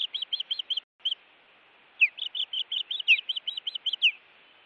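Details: Osprey at a Montana nest, filmed by nest camera on 16 June 2017 around 20:43 during intruder attacks, giving rapid runs of short whistled chirps, about eight per second, with sharper down-slurred notes mixed in and a brief gap near one second.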